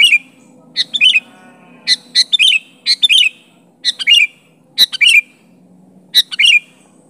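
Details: Sooty-headed bulbul challenging a rival with bubbly chirped phrases, each a few sharp notes sliding into a falling warble, spaced about a second apart with short pauses, faint low hum throughout.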